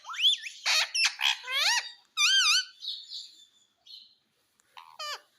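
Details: Pet Indian ringneck parakeet talking: a rapid string of loud, rasping, warbling vocal phrases with wavering rising and falling tones, then a short pause and a final squawky burst, recorded indoors.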